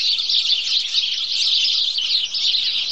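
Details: A group of bathing sparrows producing an unbroken wash of high, overlapping chirps and twitters.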